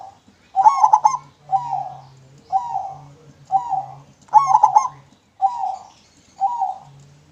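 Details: Zebra dove, local bird, singing clearly for use as a lure: steady series of coos about once a second, broken twice by rapid staccato bursts, with a low steady hum underneath.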